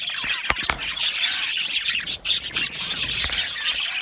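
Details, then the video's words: Budgerigars in a happy aviary colony twitter and chirp in a busy, high-pitched jumble, with a few sharp clicks early on. "Happy Budgies Sounds | Budgies Chirping Sounds"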